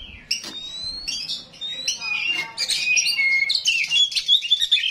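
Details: Oriental magpie-robin (kacer rawit) song of thin upslurred whistles and scratchy chatter, beginning quietly and growing fuller and denser toward the end.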